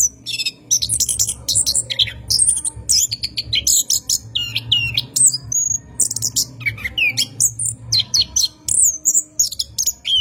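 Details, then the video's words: Night-time lure recording of an orange-headed thrush for training caged birds, long rolling song: a dense, unbroken stream of high chattering trills, slurred whistles and squeaky notes, with low rumbling bursts in the background. "PANCINGAN ANIS KEMBANG GACOR MALAM HARI | NGEROL PANJANG COCOK UNTUK PANCINGAN ANIS"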